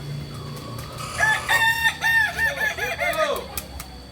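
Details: At crowing practice in Amko, Solok city, a Kokok Balenggek rooster delivers a long chain of short repeated notes that dip and step lower, ending in curved falling syllables, with clicks in the background.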